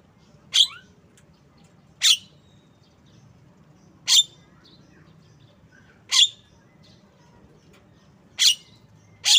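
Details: Javan myna, described as tame, repeating a loud, rasping, explosive note roughly every two seconds, six times, with a soft low background hum.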